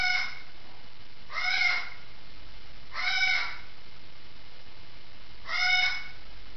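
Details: A parrot heard through from the next room: rough, grating squawks repeated at uneven intervals, three full calls after a clipped one at the start, with only faint room noise between.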